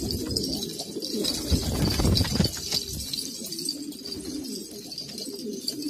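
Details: Purebred pigeons of Kabul, Afghanistan, giving deep murmuring coos in a group, with loud thumping and rustling noises in the first half before the cooing settles.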